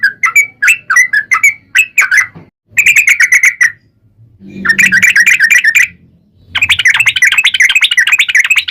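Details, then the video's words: Sooty-headed bulbul lure song used to make bulbuls sing: bubbly repeated notes, then bursts of rapid, dense chattering twitter separated by short pauses, with low rumble underneath. "trucukan gacor ROPEL PANJANG buat pancingan trucukan agar bunyi"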